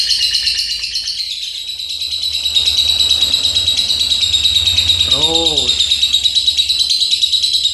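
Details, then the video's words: Juleha lovebird pouring out a shrill, throbbing chatter in the 'rem blong' manner, about three pulses per second, dipping slightly early on, with one short spoken word from a person midway. "LOVE BIRD JULEHA Rem BLONG"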